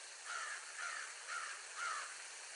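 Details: Mom and dad bald eagles: four high, slightly slurred chirps spaced about half a second apart, with a constant hissing background.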